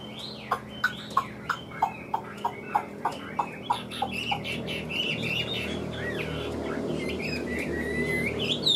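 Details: Chinese hwamei opens with a string of sharp, evenly spaced notes, roughly three per second, then slides into softer, warbled whistled phrases over background hum.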